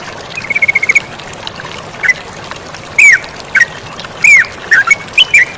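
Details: Sooty-headed bulbul calling actively with flowing water in the background: a rapid stuttering trill of seven quick notes, then loud, drawn-out slurred whistles that bend downward, spaced irregularly.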